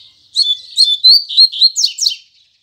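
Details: Double-collared seedeater singing a firm 'tui tui zel zel' style song in the morning: a fast run of bright whistled notes sliding between high pitches, ending in sharp descending buzzy strokes, lasting about two seconds.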